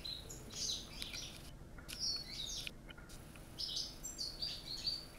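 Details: European goldfinch of Corsican origin, kept in a cage, delivering a lively run of high tinkling notes, sharp chirps and rolling twitters in close succession, broken by brief gaps, over a soft steady background hum.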